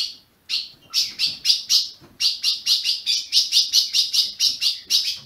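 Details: Azulão in captivity in Brazil, chirps meant to warm up a caged bird: a steady string of loud, bright chips, roughly two to three per second, after a short quiet opening.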